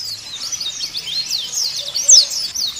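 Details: Brief high, thin twittering from a white-eye, used as a lure to set caged white-eyes singing. Sliding chirps are run together, with one sharper accented note near the two-second mark.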